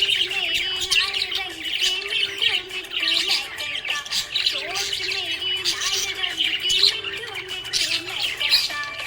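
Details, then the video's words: Happy budgerigar chattering busily, with a dense, continuous stream of high scratchy chirps and warbles, broken by brief louder squawks. Tonal music plays steadily underneath. "Happy budgie chirping sound"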